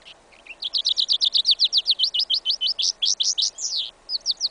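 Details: Hybrid of goldfinch and canary (yellow isabella), tested in a winter field on 11 January 2015, delivering a loud, rapid trill of bright repeated high notes, about four per second, briefly pausing near the end before resuming.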